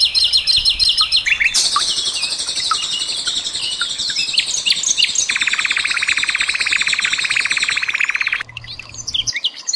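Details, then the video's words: Burst song of the common nightingale, mixed with trickling water and cililin sounds as training material for kept birds like the white-rumped shama. Dense high warbling with a long, steady, rattling buzz running through the middle. "SUARA BURUNG SIKATAN LONDO"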